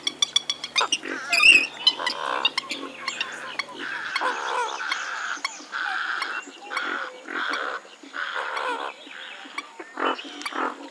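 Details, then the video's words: Western swamphen (Porphyrio porphyrio) calling in a run of hoarse, nasal honks, each roughly half a second long and evenly spaced, after a few sharp clicks and a brief higher squeak at the start. "Western swamphen (Porphyrio porphyrio) Birds Best Call Sound"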